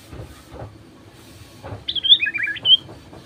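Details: Sooty-headed bulbul lure song to make other bulbuls sing: a brief, quick, chattering warble of bubbly notes, ending on a higher whistled note, with soft knocks before it.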